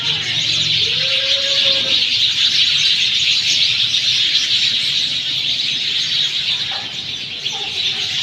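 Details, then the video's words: Loud sparrow din after monsoon rain in Sanghar, Sindh, the flock's high chirps blending into a steady hiss of twitters; one drawn-out lower whistle sounds near the start. "برسات کے بعد چڑیوں۔ کا شور"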